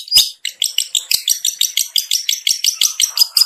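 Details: Long-tailed shrike lure call used to attract other shrikes: a series of harsh, high, clipped double notes repeated about four times per second, loud and clear with no other sounds.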